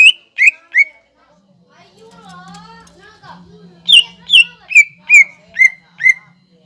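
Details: Greater green leafbird singing as a lure to set young leafbirds singing: three sharp whistles, a quiet stretch with a faint wavering warble and a low hum, then six evenly spaced, bright descending notes.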